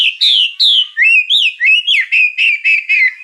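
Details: Loud white-rumped shama song packed with fill-in phrases, a string of about ten bold whistled notes that swoop up and down, some bright and falling, others low and wavering.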